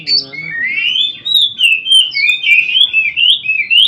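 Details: Oriental magpie-robin daily training song: a continuous run of clear whistled phrases rising and falling, with slurred notes strung together in quick succession and no pauses.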